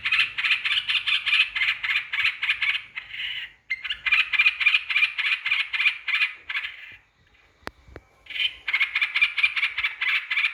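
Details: Yellow-vented bulbul lure song meant to provoke rivals: long bursts of fast, scratchy chattering notes, interrupted by a short pause and a couple of sharp clicks before the chatter restarts.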